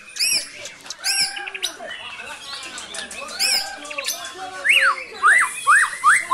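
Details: Kept white-rumped shama in Cilacap, Indonesia, singing brantakan fill: stacked high chirps and busy warbling, then a series of loud sweeping upslurred whistles repeated about twice a second.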